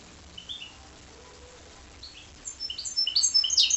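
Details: Goldfinch × canary hybrid singing: a few faint, thin high notes at first, then a louder run of quick, sharp, high-pitched twittering phrases building toward the end.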